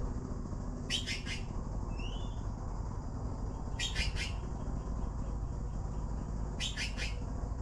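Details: Blue magpie nestlings waiting for food as the parent arrives beg in harsh, raspy stuttering bursts about every three seconds, with a brief rising whistle between them over a steady low rumble.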